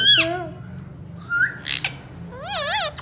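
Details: Ringneck parakeet utters a squeaky falling phrase and a soft rising whistle, then a wavering nasal word. Quiet gaps fall between the sounds.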